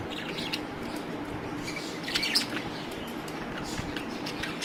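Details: Budgerigars playing in front of a mirror give scattered short, scratchy chirps and squawks over a steady background hiss.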